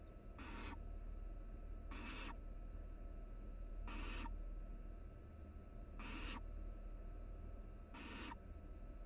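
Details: Five evenly spaced rasping hisses, roughly every two seconds, from three barn owl nestlings cuddling in a nest box on a University of Florida live camera, over a steady electrical hum.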